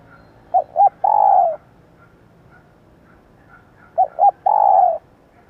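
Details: Female spotted dove call for stimulating newly caught birds and training decoys: two short clipped notes followed by a long, slightly falling coo, the phrase given twice about three seconds apart in a quiet setting.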